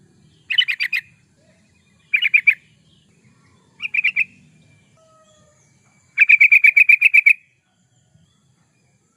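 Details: Yellow-vented bulbul singing actively, a recording for luring wild birds or training caged ones: three short chattering bursts followed by a longer rapid run of about ten even notes, then quiet.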